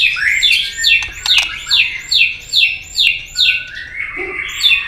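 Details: Repetitive fighting song of a White-rumped shama intended to provoke a rival: evenly spaced downslurred whistles, about two or three each second, with a couple of tail clicks early, then a rising trill.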